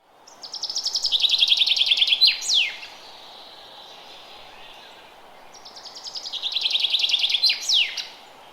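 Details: Forest bird in early spring: two songs, each a fast run of bright repeated notes that falls slightly in pitch, then a sharp downward-sweeping flourish, separated by about three seconds of quiet background hiss.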